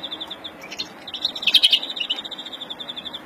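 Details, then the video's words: Softer stretch of the agitated breeding song of a Verdune-mutation European greenfinch, April 2016: a high trill swelling into a louder buzzy burst midway, then fading back to quieter trilled notes. "Kızgın flurya kuşu üretim ötüşü"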